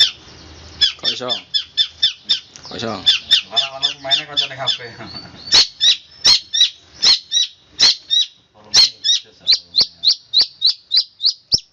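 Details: Cendet, the Long-tailed shrike, delivering a 'roll speed rapat' roll: a rapid string of evenly repeated sharp high chips, about three per second, with a man talking underneath during the opening seconds.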